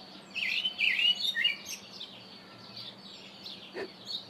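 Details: Karoo thrush calling: a burst of slurred, warbling phrases around a second long near the start, then fainter scattered high notes and a short sharp sound later, over a steady low hum.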